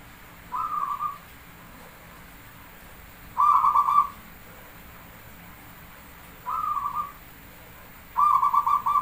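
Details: Zebra dove (perkutut) of Java, song with counted beats: alternating short soft coos and louder pulsed cooing phrases, four phrases spaced a few seconds apart.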